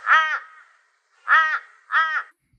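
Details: Torresian crow in Australia giving three nasal, quacking notes, each about half a second long, the last two quicker; a variable call, more quacking than cawing, flatter and quicker than ravens'.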